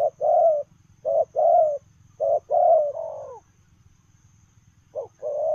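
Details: Spotted dove giving 'lèo rồng' style coos while running. Short-then-long coo pairs repeat, one phrase trailing off with a wavering tail, followed by a pause and a new phrase.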